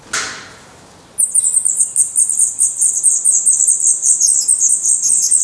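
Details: Black redstart nestlings in their nest in Portugal, eyes open and growing their definitive feathers, break into an intense, continuous chorus of shrill, high, rapid begging squeaks after a single soft knock.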